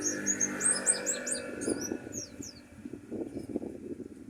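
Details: Mountain white-eye from Pacitan, Indonesia: a quick string of high, thin twittering notes that fades after about two seconds, over a hum of low background noise.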